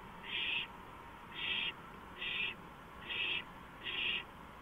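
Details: Owl on a porch at 2:05 AM, 5 April 2015; five loud, rasping hiss bursts come in steady succession, each about half a second long, with brief quiet between them.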